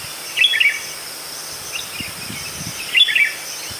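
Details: Red-whiskered bulbul singing two short, bright, warbled phrases about two and a half seconds apart, each a quick cluster of liquid whistled notes, over a steady background hiss.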